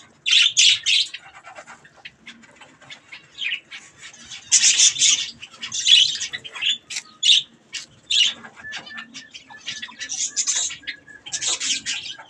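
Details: Budgerigars chatter while eating strawberries: loud, harsh squawking bursts recur every second or two, interspersed with quieter chirps.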